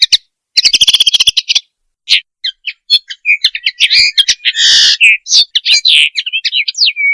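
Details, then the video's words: Common linnet mating call for training and hunting: it opens with a rapid stutter of repeated notes, then runs into varied twitters, a buzzy burst and ends on a short whistled note. "صوت طائر التفاحي - النينو - صوت رائع للتزاوج - التعليم والصيد - Best call of Commun linnet linaria"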